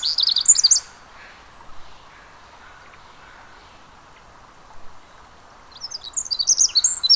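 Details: Pacific wren at the Mamquam Spawning Channels gives rapid, very high tinkling trills in two bursts, with a quiet stretch of faint background hiss between them.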